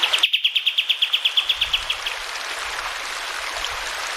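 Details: Sooty-headed bulbul song meant for tutoring caged birds: a quick run of sharp, clear high notes for about two seconds, then only the hiss of running water.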